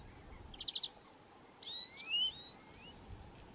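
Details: Eurasian nuthatch: a quick burst of four clipped high notes, then several long, clear whistles sliding upward, against faint steady background hiss.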